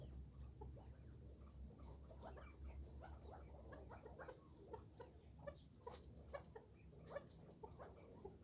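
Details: A young first-cross Maskati chukar partridge gives soft, dry clucking notes, scattered irregularly and a few per second, over low hum and a man talking.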